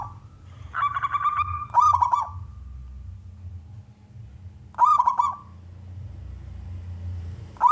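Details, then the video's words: Local wild-origin male zebra dove singing to draw other doves into calling. Separate short cooing phrases of rapid beaded notes come every few seconds, with quiet gaps and a faint low hum between them. "perkutut lokal gacor suara jantan"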